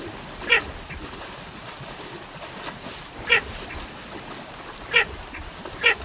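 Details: Baer's pochard giving four short, harsh, buzzy call notes at uneven intervals, the first two about three seconds apart, over a steady background hiss.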